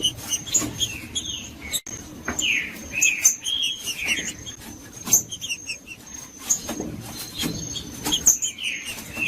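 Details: Green-winged saltator, Judas song type, used to provoke and warm up a cold bird: clear descending whistled slurs in phrases of two to four notes, with a persistent high-pitched hum and frequent clicks.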